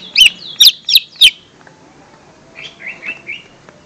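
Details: Lesser green leafbird lure sound for young birds: four loud, sharp, high chirping notes in quick succession, a short pause, then a softer run of four slurred whistles.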